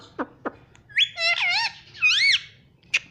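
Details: Caged talking rose-ringed parakeet, kept as a pet, giving a brief burst of shrill, wavering squeaky syllables after two short clicks, ending with a sharp chip, indoors with a faint hum.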